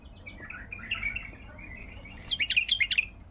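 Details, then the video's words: Baghdadi bulbul song in the 'tayyarat' style: soft warbled notes building into a loud, fast burst of sharp chirps near the end. "طيارات بلبل بغدادي محمل طوال"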